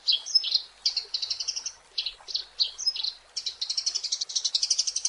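A Eurasian tree sparrow chirps busily: sharp, bright chips in quick runs, ending in a fast stream of repeated metallic notes about four per second.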